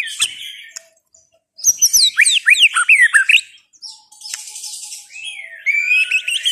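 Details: A white-rumped shama gives a short call, falls silent for a moment, then bursts into a quick cascade of high, tumbling whistled notes, followed by a buzzy trill and a final clear, level whistle.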